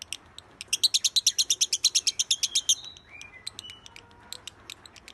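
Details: Lovebird 'masteran' song from a champion bird: rapid, bright chattering notes about six per second for two seconds, followed by short slurred whistles sliding downward and sporadic high clicks.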